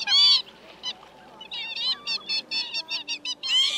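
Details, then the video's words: Migrating northern lapwing lure for night trapping, said to call males and females together: one loud wheezy cry, a quieter gap, then a quick run of about eight short nasal notes and another drawn-out cry. "Te Te Mào Tiếng Chuẩn Gọi bầy trống mái"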